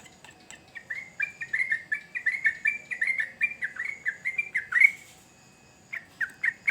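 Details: Sooty-headed bulbul song of quick, slurred whistled phrases repeated in a steady string, with a brief louder sharp note near the end and faint background hiss and ticking.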